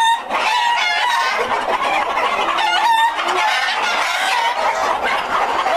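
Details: White Leghorn chickens, a breeder flock kept for purebred egg production, fill the air with crowded clucking and squawking; several clear drawn-out calls stand out, including a low steady note midway amid constant flock noise.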